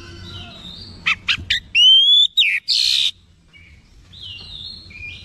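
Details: Oriental magpie-robin, called lazy yet responding quickly to a sound, getting worked up and showing its repertoire of learned phrases; a short burst of clipped notes, a long pure rising whistle, then a harsh noisy rasp, followed by faint distant chirps.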